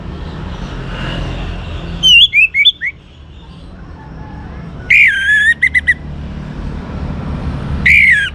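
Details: Young orange-headed thrush from North Bali, Indonesia, singing as a lure to get other birds singing: descending whistled notes, then a loud clear whistle with quick stuttered elements, and another strong whistle near the end, over steady low background noise.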